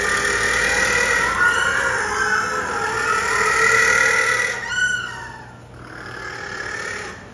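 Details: A little penguin at Cincinnati Zoo in nest-building season, when males gather materials to impress females, gives long, wavering, braying calls for about four seconds, then a few shorter harsh notes, over a steady high whine.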